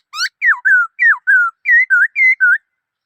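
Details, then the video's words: Black-throated laughingthrush singing a quick run of nine clear whistled notes over about two and a half seconds, some slurring downward, others level or rising slightly, with a short rising note opening the phrase; no other sounds behind it. "Noog Sab Hwj Quaj Dib Tuaj Zoo Heev {นกมะเกลือร้องเพลงNk makelụ̄x r̂xngphelng}"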